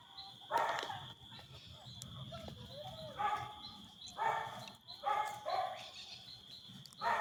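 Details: Brazilian teal in Brazil making short, nasal, honking calls in repeated bursts, with a continuous high insect whine and low rumbling background noise.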